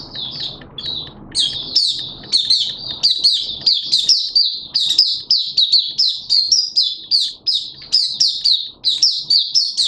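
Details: Caged Malaysian oriental white-eye singing in a hobby bird-training setting: rapid, high, thin chirping phrases in a steady stream of sharp sweeping notes, with a low rumbling background throughout.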